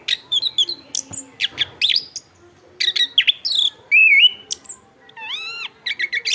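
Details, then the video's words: Chestnut-backed thrush singing a varied, loud sequence of high chirps and rattles, then a wavering whistle and arched, rising-then-falling whistled notes with harmonics. "ANIS KEMBANG GACOR"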